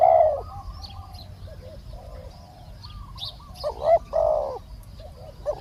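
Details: A captured wild spotted dove and a decoy trading calls: one loud hollow coo, quieter far coos, then a close doubled coo near the end, with faint small-bird chirps throughout.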